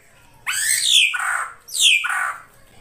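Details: Ashy drongo of the krantil saeran type, singing vigorously: two harsh, rasping calls, each a loud downward sweep from very high pitch into a lower buzzy tail, separated by a short pause.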